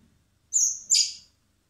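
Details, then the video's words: One begging burst from common blackbird young being hand-reared in spring at a wildlife recovery centre: a sustained thin high whistle sliding straight into a loud scratchy rasp, lasting under a second. "Cebando a los polluelos de mirlo común (Turdus merula)"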